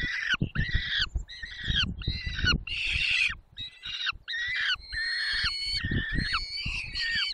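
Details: Peregrine falcon, Barycz Valley, Poland, 20 May 2021, feeding at 10:22: choppy, squealing cries packed closely together, then longer drawn-out wails, with frequent low rustles and knocks.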